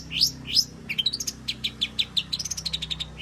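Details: A long-tailed shrike in full 'gacor' song, played to prompt singing. Two sharp rising whistled notes open a fast string of bright, chirping notes, about three a second, with a steady low electrical hum behind.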